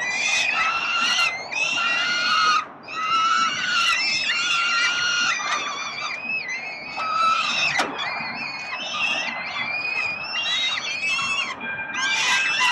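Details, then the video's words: Hungry peregrine falcon chicks on a city nest in Melbourne, Australia, being fed by their father, 30 October 2021: loud harmonic squealing wails from several chicks, overlapping and nearly continuous, with brief pauses between drawn-out cries. "Sokoły wędrowne - Tata karmi swoje głodomorki"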